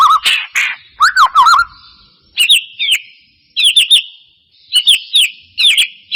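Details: White-rumped shama lure for prompting song: clusters of two or three sharp whistled notes with upslurs, phrases separated by pauses of about a second, heavily echoing tail after each phrase.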